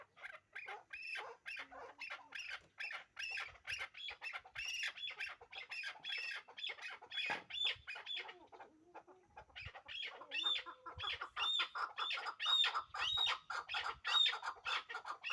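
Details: Hybrid chukar partridge pair kept for breeding gives loud, steady chuk-chuk notes roughly four a second, each with a bright upswept tail, with a short pause midway before the rattling series resumes.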